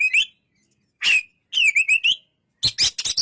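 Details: Oriental magpie-robin calls: a rising whistle, a harsh drawn note, then a wavy whistled trill, closing with loud scratchy broadband notes.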